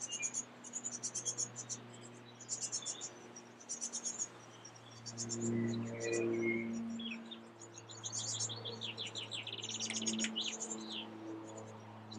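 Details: Evening recording at a great tit nest holding young close to fledging; clusters of very high chirping notes come in bursts about every second, later a fast descending series of notes, over a constant low hum.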